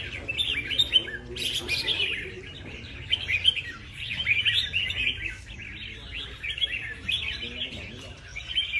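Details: Close-up of a prize-winning competition red-whiskered bulbul singing well: rapid chattering bursts of bright chirps and short warbles in clustered phrases, a sharp high note near the start, low hum underneath.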